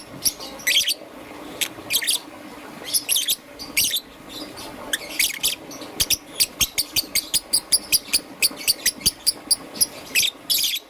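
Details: Green and yellow young peach-faced lovebird chirping in the morning: scattered shrill notes at first, then a fast, even run of clipped chirps, roughly three per second, near the end.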